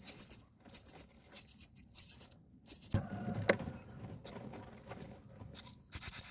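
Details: A common (Indian) myna parent at its nest with chicks on day 8 gives harsh, hissing, high bursts in quick uneven runs while fighting nest bugs; a single sharp knock sounds midway.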